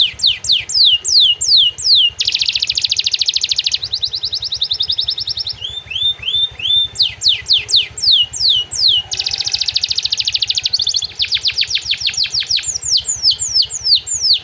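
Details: Canary song that includes material copied from prinias and other small songbirds, used for training other songbirds: rapid series of descending sweeps, dense buzzy trills, and ringing rising whistles, all high-pitched and continuous.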